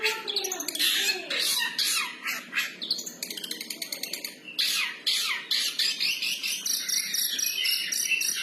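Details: Long-tailed shrike singing actively in a freestyle manner: harsh, scratchy bursts alternate with squeaky notes, with rapid dry ticking runs near the middle and a steady chattering, rasping flow toward the end.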